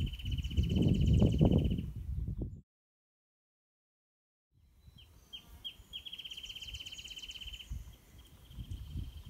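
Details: Male wrentit in Hazard Canyon singing to define and defend his territory, tail vibrating as he trills: a steady, rapid run of clipped whistled notes, a few lead-in notes then a long even trill, with rustling and low rumbling noise early on.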